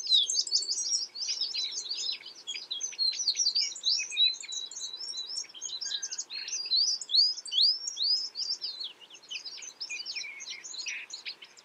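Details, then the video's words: American tree sparrow calls: a dense, continuous chorus of high, quick chirps and twittering notes from several overlapping birds, with short slurred whistles running through it, constant throughout with no other clear sounds. "American Tree Sparrow Bird Sound Bird Calling, Chirps"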